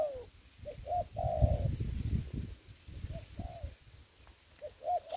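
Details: Spotted dove as a ground decoy in Vietnamese dove trapping during the Covid season: short rising notes followed by long, smooth, falling coos, repeated, over a bed of low rumbling.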